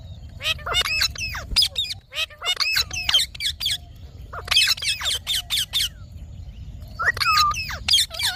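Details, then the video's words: Green pet Indian ringneck parakeet with clustered shrill squawks and bent squeaky notes in several quick bursts, quiet gaps between them, and a faint low hum. "Talking parrot video|Ringnek parrot video|Parrot voice"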